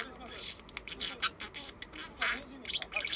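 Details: Pet parakeet talking in its sleep, often repeating the Japanese word for 'tired', likely learned from its owner; soft, mumbled, speech-like chatter with scattered brighter squeaky syllables over a quiet indoor background.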